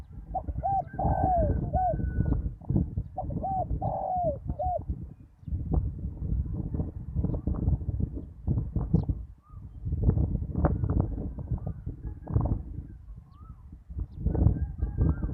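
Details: Spotted dove decoy cooing on the ground to attract wild birds after a storm: two clear hollow phrases of three coos each early on, then mostly rumbling low noise with faint distant calls.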